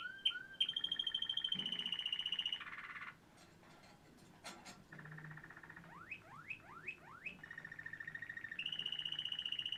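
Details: Waterslager canary from Quetta singing: high sustained trills, a short gap with faint clicks, then four quick rising slurs followed by another long rolling trill.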